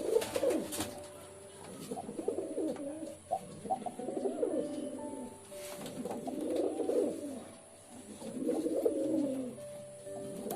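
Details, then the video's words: Low bubbling pigeon coos repeated in rhythmic bursts about every two seconds, each swelling and fading, over a quiet indoor background hum. "Pigeon Sound Effect 🦅 Pigeon Sound 🦅 কবুতরের ডাক"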